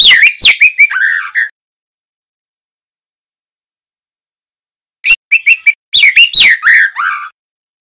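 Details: Singing young male white-rumped shama with juvenile speckled plumage, a recording for training birds: two short bursts of quick descending whistles and chirps ending in a lower slur, separated by a long silence.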